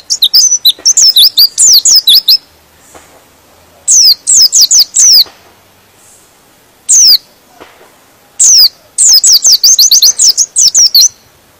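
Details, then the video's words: A white-eye sings in rapid bursts of high, thin, descending twittering notes, several bursts with short pauses, no other sounds; this song is said to agitate other white-eyes and set them singing. "Suara Pleci ini bikin Pleci Lain Emosi dan ikut Gacor"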